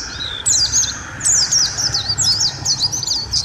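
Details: Mountain white-eye song for tutoring cage birds: after a brief pause, a bright high warble of quick up-and-down whistled notes bursts out, then tumbles on in fast twittering phrases, with a soft low hum behind.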